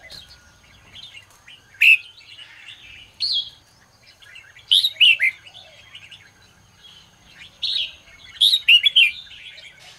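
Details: Red-whiskered bulbul singing in the morning to train and stir other bulbuls; quiet warbling punctuated by four loud bursts of quick, bright whistled notes spaced a few seconds apart.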